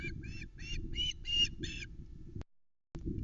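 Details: Juvenile female osprey on the Loch Arkaig nest, 17 August 2020, screaming for fish from the adult male, captured by nest camera: six harsh, buzzy, rapidly repeated screams in under two seconds, over steady low wind rumble, then a brief break.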